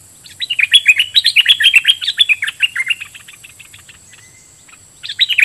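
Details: Decoy bulbul singing toward wild birds: a fast run of rich, bubbly whistled notes, rising and falling, delivered for about three seconds, then fading, with another short burst of warbling near the end.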